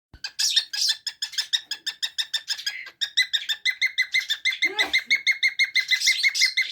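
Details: Young cockatiel just beginning to cackle (ngekek), with whistling also present, recorded 7 June 2024: fast train of harsh, harmonic chirps, roughly six per second, rising in pitch after a short break midway, with a faint human sound near the start.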